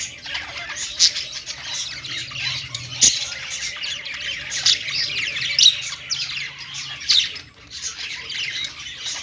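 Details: Steady budgerigar chorus from birds on a perch, rapid overlapping twitters and clicking notes with louder squawk bursts every second or two.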